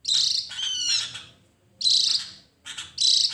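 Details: Javan grey-throated white-eye used as a lure to draw other birds into song: high, bright twittering phrases in three bursts, one with rapid descending trills, separated by short silences.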